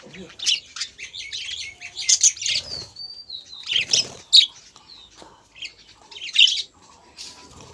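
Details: Budgerigars kept in a breeding colony, hens laying four to five eggs; scattered high chirps, thin whistles and brief squawks with wing flutters between calls.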